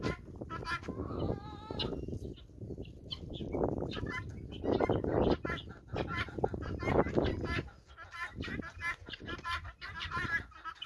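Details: A flock of farm-raised guinea fowl follows a hen, calling constantly: harsh, buzzy, repeated notes from several birds overlapping, set against low-pitched rumbling and shuffling noise.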